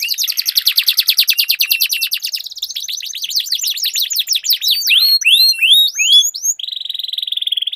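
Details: Canary duel song: long rapid rolling trill at the start, shifting into sweeping down-slurred notes and ending on a steady buzzy held tone.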